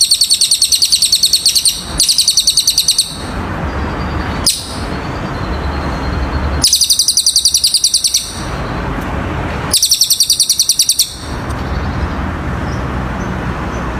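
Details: Cililin bird song recorded as training material for other birds: several separate bursts of fast, high, twittering trills, each lasting about one to one and a half seconds, with quieter background hiss and rumble between them.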